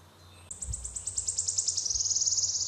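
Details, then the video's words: Song of a wood warbler: after a short quiet lead-in, sharp high ticks begin slowly and accelerate steadily into a rapid, dry, slightly lower trill that continues to the end, with a brief low thump early on. "Wood Warbler"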